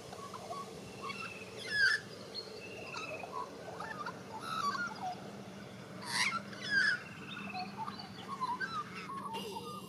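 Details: White-backed Australian magpie warbling in Australia: bursts of slurred, gurgling whistles every few seconds, mixed with soft fluting notes and occasional sharp clicks.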